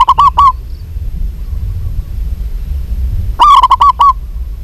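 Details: A female local zebra dove calls to a male with two quick runs of clipped, cooing notes at an even pitch, separated by about three seconds of quiet background hum.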